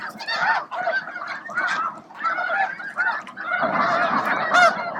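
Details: Snow geese massed at Bosque del Apache near midday, feeding and facing off for a spot; clusters of honks arrive in waves with brief lulls, building into a louder surge toward the end.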